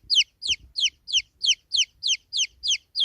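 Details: Shrill falling peeps from a baby chick, ten notes in three seconds, each a clean downslurred whistle against a quiet background.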